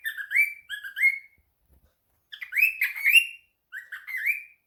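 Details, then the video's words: Domestic cockatiel responding as if answering a phone call: two rising whistled phrases, a brief pause, then a louder burst of overlapping upward-sliding whistles and a final rising phrase, with no other sounds. "the cockatiel fam: Answering a phone call"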